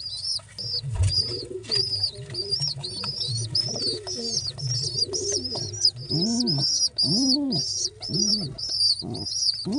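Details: Pigeon chicks during feeding give a steady run of shrill, high-pitched peeps, joined near the end by louder, lower arching whines, with a wing flap or two.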